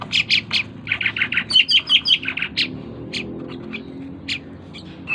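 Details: Asian pied starling, tame and in full song, producing a quick series of harsh squawking notes with a short high-pitched trill, then sparse scattered chips.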